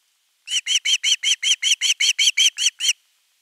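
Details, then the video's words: Begging Osprey chick at a nest camera, 10 August 2021, wanting fish: a tight burst of twelve shrill, harmonic chirps, each rising then falling slightly, about five per second, framed by silence. "Myy huutaa pitkään kalaa"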